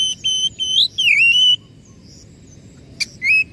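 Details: Oriental magpie-robin lure song aimed at coaxing a stressed or silent bird to sing: level whistles, then a rising note and a long falling-then-flat whistle, a click, and a final upslurred note.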